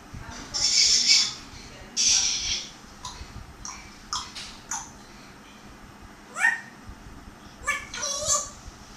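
Grey parrot making harsh, hissy bursts, then a rising whistled swoop and a quick warbling whistle in a quiet room.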